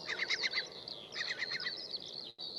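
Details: Eurasian curlew, most likely a male guarding chicks in the breeding season, recorded in 2021, approaching the recordist to drive him off: two quick bursts of harsh, yelping alarm notes, several to a second, over a steady background hiss.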